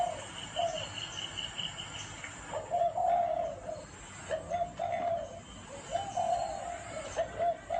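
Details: Gáy gù style cooing of a spotted dove: low, soft coo phrases of a short note and a longer hoot, repeated several times; a faint high whistled trill runs through the first two seconds.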